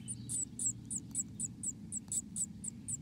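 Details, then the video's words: Black-capped chickadee recorded inside its nest in America: a rapid series of thin, very high squeaky notes, about four each second, roughly a dozen in all, over a low steady hum. "Inside the nest of a Black-capped Chickadee"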